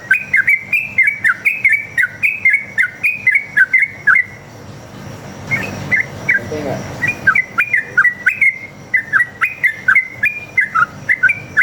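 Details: Long, lively sooty-headed bulbul song used to provoke other birds into answering: rapid bubbly whistled phrases, each dipping and rising, repeated back to back, with a short quieter break in the middle and a faint hum underneath.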